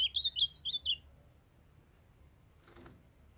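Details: Captive ultramarine grosbeak, a young male singing with a calling female nearby to stimulate breeding readiness. One fast second-long phrase of about seven bright, slurred whistles, followed by silence and a short rustling noise.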